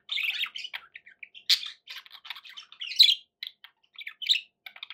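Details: Pet budgerigars kept as company birds, chattering in a dense run of scratchy, buzzy chirps and short squawks, bursts of warbling broken by brief pauses, with a few louder sharp squeaks standing out.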